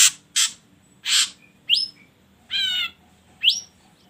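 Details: Ashy drongo song meant to provoke other birds into song. Harsh rasping bursts, sharp upslurred whistles and a nasal buzzy harmonic note follow one another irregularly.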